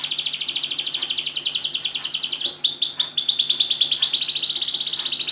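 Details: Canary in full song from Semarang, used to prompt silent canaries to sing: rapid high buzzy trills run continuously, then at midpoint shift to a string of quick downward-sweeping whistled notes before trilling resumes, steady and loud throughout.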